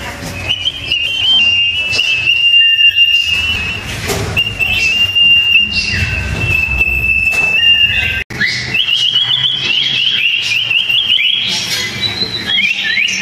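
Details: Two sooty-headed bulbuls duelling: a loud, continuous steady whistled tone held for several seconds, then a brief cut and a run of quick, higher trilled notes.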